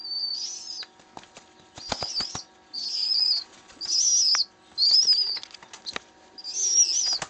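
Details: A rescued baby pigeon demanding to be fed begs with six high, wheezy squeals, each about half a second long and roughly one a second, with wing flutters and soft knocks between.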